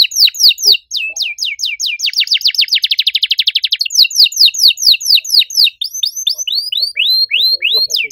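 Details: Canary singing loudly in a unique, ornamented style: repeated falling whistled notes speed up into a very fast rolling trill, then slow again into varied looping chirps, with faint low knocks in the background.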